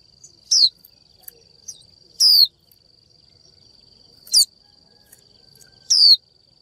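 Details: A female Japanese white-eye calling to attract a male gives four thin, high, downslurred 'chiu' notes, spaced one to two seconds apart, over a faint, steady high-pitched whine.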